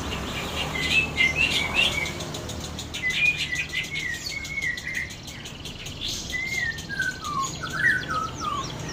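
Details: White-rumped shama, a young bird just starting to learn, singing a string of clear whistled phrases, some rising and some falling, with brief pauses between bursts, over a steady low background hum.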